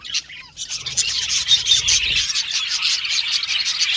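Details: Budgie chirping said to seek company when alone; begins with a few separate chirps, then swells into rapid, overlapping high twitters and short squawks.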